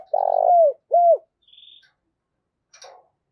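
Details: Morning cooing of a decoy spotted dove luring wild birds: a long, buzzy, throbbing coo that falls away, then a shorter clear falling coo. Faint chirps from other small birds follow.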